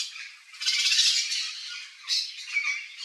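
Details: Wild Yellow-faced Parrot visiting a backyard in Brazil's Cerrado: a long, rasping, rattling squawk followed after a brief dip by another harsh burst.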